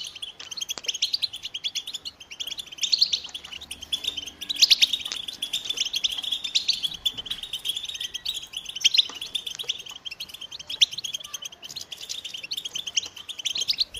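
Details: American goldfinches singing in a dense chorus of overlapping high, rapid twittering and chirping notes, a continuous bright warble with scattered sharp tweets.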